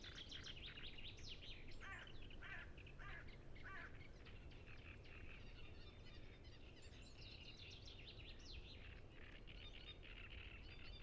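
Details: Great reed warbler chorus at Ema-Joe Suursoo Natural Reserve by Lake Peipus, captured on a Zoom F6 with Sennheiser MKH 8040 microphones; repeated grating, croaking strophes from several birds over a steady low background hum.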